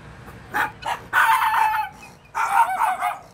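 A guineafowl gives harsh, grating calls: two short rasping notes followed by longer scratchy bursts.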